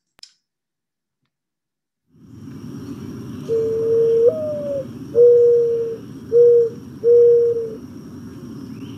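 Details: A Mourning Dove gives its owl-like morning coo, chest puffing out: a first note swelling upward and sliding down, then three steady soft hoots, over a faint background hum; Michigan, spring.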